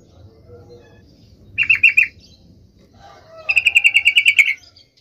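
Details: Yellow-vented bulbul's provoking song over a steady low rumble of background noise: a short stuttered phrase of four notes, then a longer rapid run of about a dozen chattered notes.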